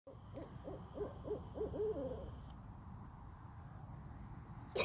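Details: An owl in a yard gives a quick run of five or six short, hollow hoots in under two seconds, over a low rumble and a faint high whine; the call type is unknown.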